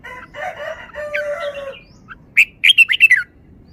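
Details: Caged Red-whiskered bulbul in wild-style song; lower harmonic calls from another bird open the clip, then the bulbul gives a quick string of about six loud, bright, bouncy notes.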